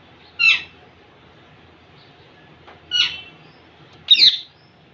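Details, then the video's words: Young male Indian ringneck courting a female, letting out three short, rasping screeches, the last one louder and shriller. "baby mail parrot impress female ringneck"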